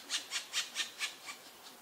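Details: Black woodpecker, Dryocopus martius, watched on camera: seven sharp, dry knocks or rasps at about four per second, fading toward the end, with no other clear sounds.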